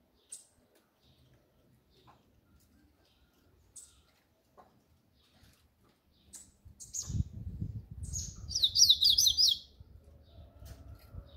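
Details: Double-collared seedeater in the 'grego' song style: scattered sharp high chips, then after background clatter begins, a brief rapid burst of buzzy, high twittered notes lasting about a second.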